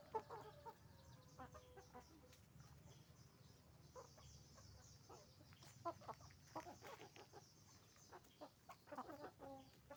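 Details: Hens and roosters on a chicken farm, scattered clucks over a constant low hum, busier bursts of calling toward the end.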